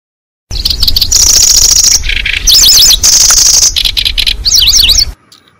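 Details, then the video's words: Lure sound for catching cisticolas: sustained high buzzy trills alternate with quick zigzag chirps and lower rasping buzzes in a rapid, looped sequence, loud and clear. "Suara Pikat Burung Kecici Belalang"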